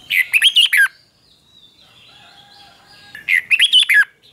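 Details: A captive red-whiskered bulbul, recorded for young birds to learn from and copy, sings two bright, bubbly warbled phrases, each about a second long and roughly 2.5 seconds apart, with faint thin whistles between.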